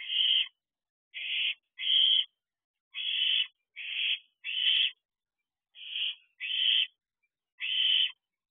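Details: Nighttime food begging by two young owls at a nest box, 27 June 2023 at 3:41 am, the smaller one fledged but staying near: a run of nine rasping, breathy hisses, some paired closely, others separated by pauses.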